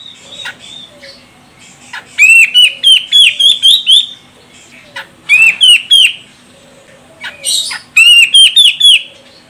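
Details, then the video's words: Female grey-cheeked bulbul (Medan, Sumatra) calls, used as a lure to set males calling, in three loud bursts of rapid, bright, rising-and-falling chirps, about four notes a second, with quiet gaps between. "Cucak Jenggot Medan Betina Ini Bikin CJM Jantan langsung Koar Koar"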